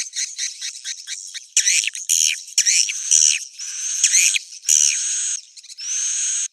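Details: Edible-nest swiftlet roosting call, known as suara inap, played to attract swiftlets: dense bursts of buzzy, scratchy chirps in rapid groups, with thin steady whistled tones running across them and short gaps between bursts.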